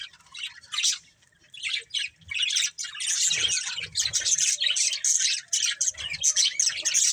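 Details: A group of pet budgerigars chirping in a dense, continuous warbling chatter of rapid scratchy high notes and squeaks, rising in intensity after a short lull, with soft low bumps in the background.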